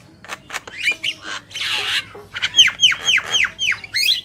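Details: Black-winged myna pair singing: scattered clicks and a long harsh rasp, then a rapid series of about six clear down-slurred whistles, roughly four per second.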